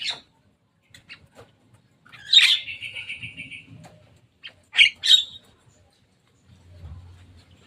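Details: Javan myna that has come to play on top of a cage, giving a loud harsh squawk that trails into a buzzy tone, then two sharp, abrupt rasping notes in quick succession amid quiet pauses.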